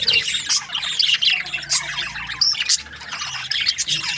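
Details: Many budgerigars chirping at once, a lively, crowded chatter of high squeaky notes and rapid twitters running without a break.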